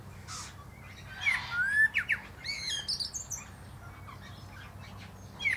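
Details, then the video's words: Common blackbird (Turdus merula) singing atop a plum tree: clear fluting whistled phrases around the second second, followed by higher squeaky twittering flourishes, with a faint low hum underneath. "Song of Songs"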